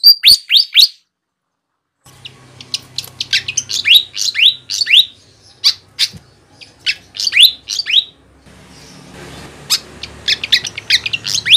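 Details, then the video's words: Wild-bird luring sound of a flycatcher: quick sharp chirps and rising-falling slurred notes in irregular runs, broken by a second of silence, later over a hissy background. "suara burung sikatan gacor cocok untuk mikat di alam liar"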